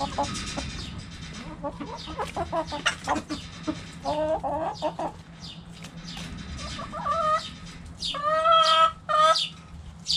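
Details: Backyard chickens, hens clucking while playing with a hanging cabbage: a busy run of short harmonic clucks and squawks, louder drawn-out calls near the end, and a steady low hum underneath.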